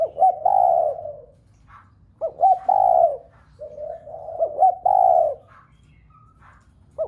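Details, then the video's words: Spotted dove cooing to stir a whole flock of doves kept at home into cooing, with low mellow phrases of a few short notes ending in a drawn-out coo, three phrases roughly every two seconds. "Cu gáy gáy thúc cả bầy cu ở nhà gáy loạn. tiếng chim cu gáy kích bổi nhanh nổi nhất"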